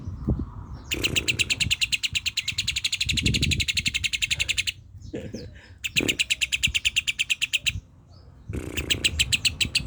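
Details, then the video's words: Lovebird delivering tembak-style song, called rasa kapas: three long bursts of rapid, dense, shrill chattering, each lasting a few seconds and separated by brief gaps, with some low thumps and rustling between. "Love Bird Rasa kapas Tembak"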